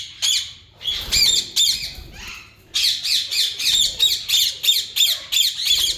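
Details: Shrill, rapid squawks from a breeding pair of yellow Indian ringneck parakeets: a few harsh notes, a pause, then a fast steady series at about three per second.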